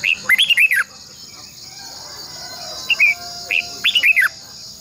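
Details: Caged red-whiskered bulbul used as a decoy to train other birds, giving two bright bursts of rapid, looping whistled notes separated by a quieter gap, with a constant high insect drone behind.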